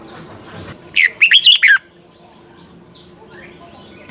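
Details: Red-whiskered bulbul in morning voice training, mature wild double-note style: a single lively phrase of six quick, sweet warbled notes, with faint distant chirps before and after against a low background hiss.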